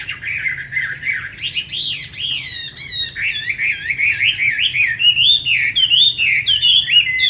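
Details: Caged tame Chinese hwamei from Hanoi, Vietnam, opens with a low warbled run, then swoops into strongly upslurred whistles and a steady series of looping, bouncing notes that repeat roughly twice a second.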